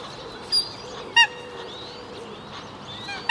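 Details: Eurasian coot of the nominate subspecies, recorded in Brussels, Belgium, in May 2017: two or three short, sharp, harmonic notes spaced apart. Thin whistles from other birds run faintly through the background.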